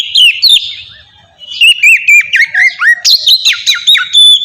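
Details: Oriental magpie-robin in relaxed ngeplong song, used as a lure to make captive magpie-robins sing quickly: loud, clear, melodious whistles, curving and slurred, in bouncing phrases after a soft opening, with some crackling, overdriven peaks.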